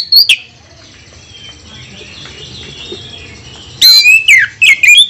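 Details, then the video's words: Oriental magpie-robin song used to provoke other birds, a loud sharp note at the start, a long quiet stretch of faint background twittering, then a burst of bright whistled and buzzy phrases near the end. "Kacer mana yang tak mau Konslet dengar pancingan suara kacer ini"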